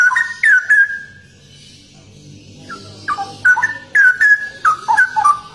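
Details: Straw-headed bulbul (cucak rowo), noted for its unique song and rarity, opens with a rich downslurred whistle. After a quiet spell with a low murmur, a rapid cascade of gurgling, tumbling notes follows.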